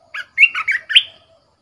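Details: Decoy red-whiskered bulbul singing one crisp phrase of four bouncy whistled notes, the last one louder and drawn out.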